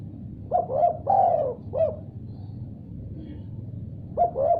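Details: Spotted dove answering after hearing a particular sound: two short bursts of low, hoarse cooing notes with a brief upward flick at each start, a longer gap of quiet between them, over a steady low hum.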